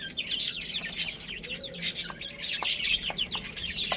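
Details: Small chicks playing and eating, heard as loud, rapid, high cheeping from several birds at once. Sharp taps cut in now and then.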